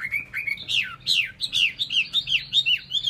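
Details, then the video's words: Captive Chinese hwamei in full song: strong whistled notes swooping down then up, repeated about three times a second in a lively, clear stream. "họa mi"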